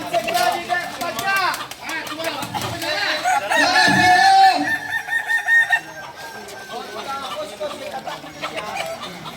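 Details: Kukuak Balenggek roosters, a native singing chicken breed of Solok, crowing during performance training; layered, harmonic crows with wavering, stepped syllables rise and fall and overlap one another, while people talk softly in the background.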